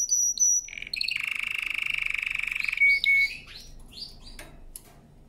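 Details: Canary singing a powerful training song: brief chirps open into a long buzzy rolling trill, followed by scattered varied chirps that fade away.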